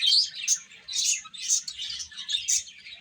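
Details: Baby chicks chirping while eating, loud shrill peeps rising and falling roughly twice a second over a crowded background of fainter chirps.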